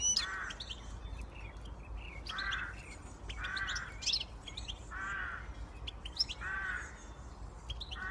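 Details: Siskin x goldfinch hybrid in sustained song: thin, high twittering phrases alternating with regular nasal, buzzy wheezes about every one and a half seconds, faint low hum throughout.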